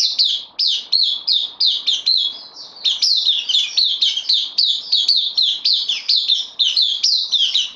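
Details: Bulbul newly arrived on loan and kept caged, recorded 12 September 2020: steady fast series of short, bright downslurred notes, roughly three per second, with one brief softer stretch midway.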